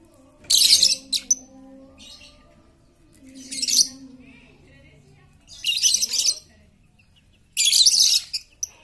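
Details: Very chatty lovebird used as a lure to get quiet lovebirds singing: four harsh, buzzy, high-pitched chattering bursts about two seconds apart, with a faint low hum between them.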